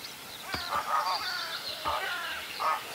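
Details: Whooper swan at Vilkkilänturta, Virolahti, calling very oddly, apparently with something stuck in its throat, drinking water constantly and not feeding properly; several nasal honks with rich harmonics, with high chirps of small birds behind.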